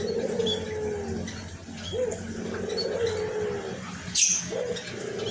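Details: White collared dove (puter putih, albino) calling steadily with a hoarse voice: low, drawn-out purring coos roughly once a second, several in succession, while small birds chirp thinly in the background and a sharp high noise sounds near the end.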